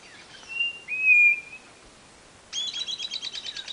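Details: White-bellied nothura of northeastern Brazil: a loud, flat, drawn-out whistle, a pause, then a quick string of evenly spaced, high, chirping notes against constant background hiss.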